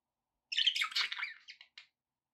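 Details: A pet budgie gives one continuous scratchy warble lasting about a second, buzzy and fluttering, ending with two short clipped notes.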